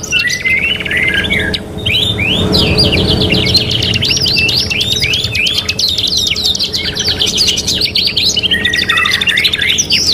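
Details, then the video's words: Singing canary, described as 'kenari gacor', on a three-in-one training recording: looping whistled phrases, then long stretches of rapid repeated clicks and trills, high and continuous. Faint low rumble and hum behind. "KENARI GACOR | CANARY SINGING"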